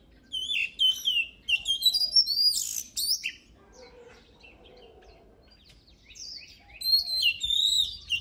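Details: Oriental magpie-robin song from a 2023 training recording. Rapid bursts of varied whistled and chirped notes fill the first three seconds. A quieter stretch with faint low warbling follows, then another lively run of sharp whistles.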